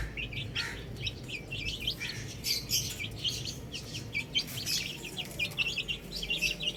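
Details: Chicks, baby hens playing on a roof, chirping in a dense, overlapping chorus of short, high, bright peeps, several each second, over a steady low hum.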